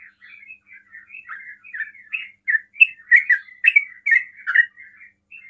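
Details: Sooty-headed bulbul with soft chattering notes that swell into louder, rapid slurred chirps, a fast 'ropel' song used to lure other bulbuls into replying.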